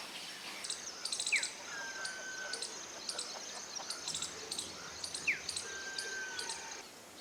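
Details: Common iora (Aegithina tiphia), call.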